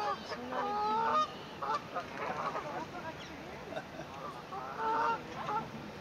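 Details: Honking from swans beside cygnets on their first day, 9 May 2024, phone recording: a strong nasal honk at the start, scattered softer calls, then another clear honk near the end, with constant low hiss.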